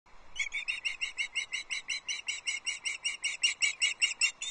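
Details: Osprey at a nest at Loch Arkaig, 22 June 2024. The male is bringing a second fish, a small whole trout, to the chicks. Sharp, high chirps are repeated steadily about two and a half times per second and grow slightly louder.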